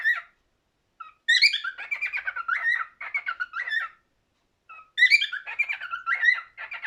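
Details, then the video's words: Cockatiel singing indoors: two bursts of whistled, warbling phrases, each opening with a sharp rising note then rapid stuttering trills, separated by a silent pause of about a second. "Best Cockatiel singing"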